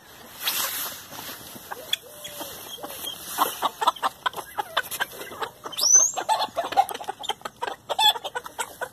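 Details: Chickens in a feeding frenzy on leftover hamburger buns: dense pecking taps and scattered short clucks, with a few high squeaky notes near the middle.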